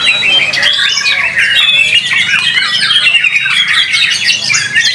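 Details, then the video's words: White-rumped shama performing at a singing competition, noted for its song rhythm, power and long working duration: dense, rapid run of varied whistles, trills and chattering notes, continuous throughout with no pauses, busy and overlapping. "Murai Batu BARRACUDA Tampil Mak Nyuss"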